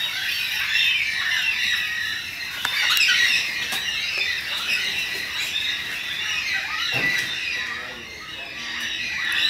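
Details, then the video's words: A flock of endangered Carnaby's black-cockatoos in a suburban Perth backyard, southwest Western Australia, calls together without pause in a steady din of harsh, overlapping squeals and wails, with one lower rasping note near the end. "Carnaby's Black-Cockatoos"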